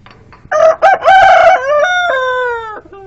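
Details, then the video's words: Domestic chickens in 2014, a red hen laying an egg in her nest with a rooster nearby; one loud, strained, harmonic call made of rough choppy notes that flow into a long sustained note sliding slowly downward, then a short final note. "mi gallina poniendo un huevo"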